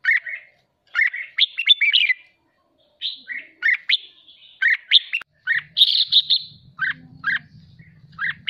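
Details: Caged red-whiskered bulbul being trained and stimulated to sing 'hót ché': long sequence of chirpy, warbled phrases with short gaps, a burst of dense chatter midway, faint low hum later.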